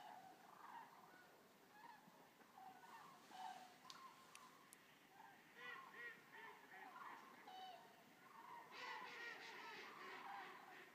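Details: Around 200 common cranes resting after arrival at Racconigi, Italy, give dense overlapping trumpet calls with short rising and falling notes, a busy flock chorus with a few sharp clicks.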